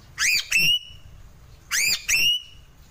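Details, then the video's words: Sulawesi crow, locally called gagak sule, giving two pairs of loud, clear upslurred piping notes about 1.5 seconds apart, each note rising then leveling off, with faint background hum. "Suara burung gagak sulawesi"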